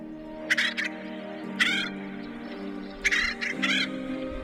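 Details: Acorn woodpecker in San Diego County, California, at a nest where adults feed a fledgling-aged youngster, giving harsh, raspy, nasal calls, four bursts in about four seconds, over background music.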